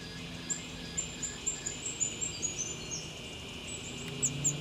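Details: Rufous Fantail along the Wodi Wodi Track in the Illawarra Escarpment State Conservation Area at Stanwell Park: faint, very high thin chips repeated about every quarter second, rising and falling slightly, over a steady hiss of background insect-like drone.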